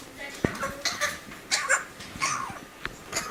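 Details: Four-month-old female pet African grey parrot coughing as her way of saying hi. Several short, rough, breathy cough-like bursts come in quick succession over about three seconds, with a sharp click near the start, in a quiet indoor room.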